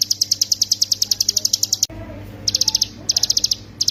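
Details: Hill prinia, 'ciblek gunung', in 'ngebren' style for training songbirds: very high, rapid ticking notes about ten per second in a long run, a brief pause, then short bursts of the same notes.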